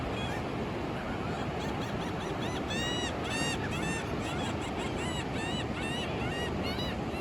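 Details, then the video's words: Gulls at sunrise on Daytona Beach, Florida, 14 March 2024, mostly sunny with light wind: repeated arched, nasal mewing calls over a steady roar of surf. "Seagull sounds"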